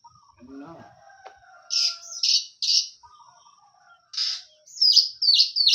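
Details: Hot-tempered oriental magpie-robin, a hobby songbird, giving harsh scratchy bursts in quick pairs after a few faint low warbles, with pauses between the groups of notes.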